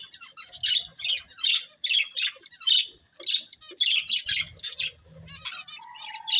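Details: Breeding pair of budgerigars kept as pets, giving dense bursts of scratchy, buzzy chirps and warbles in quick runs with brief pauses, plus a short steady whistle near the end.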